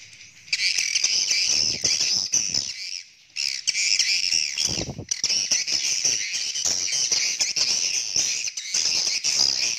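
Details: Swiftlets in courting mood keep up an almost unbroken, thick stream of shrill, buzzy twittering with many overlapping chirps, interrupted only by one short lull near the start.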